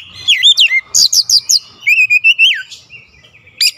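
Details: Oriental magpie-robin (kacer) showing off its song repertoire (isian): looping whistles, a quick series of four sharp descending notes, then a wavering held tone ending in a steep drop, against a quiet background.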